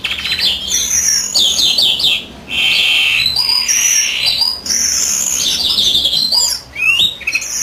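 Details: Greenfinch, European, singing while its female incubates: a series of quick descending chirps, then long wheezy buzzes and rippling trills, pausing briefly twice.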